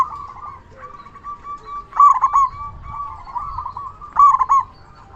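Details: Zebra dove, local type, loud, used as a lure so other doves respond. A soft, steady coo leads into two loud stuttering coo bursts about two seconds apart.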